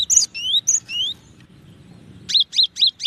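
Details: Gelatik batu, the cinereous tit, calling with thin rising whistles and clipped chirps, then after a gap a string of five evenly spaced high notes roughly every fifth of a second.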